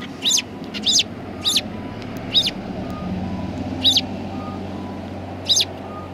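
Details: Sparrows approaching a bench to be fed, recorded 24 March 2020: sharp high chirps, some paired close together, separated by pauses of one to two seconds, over constant low traffic noise.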